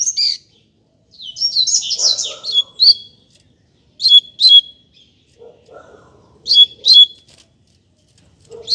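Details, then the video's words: Double-collared seedeater loose on a street, giving tutor song for learning birds: sharp, high chirped phrases in short bursts, paired notes repeated after pauses, with soft lower chatter between. "COLEIRO SOLTO NEM SABE PRA ONDE VAI!!! Dando Show na Rua!!! - Coleiro Professor Aprendizado"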